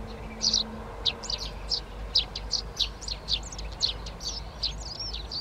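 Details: Eurasian tree sparrows in a Přerov garden on 19 March 2020, beginning to occupy three nest boxes; bright, high chirps repeated in quick succession, some doubled, over a low humming background.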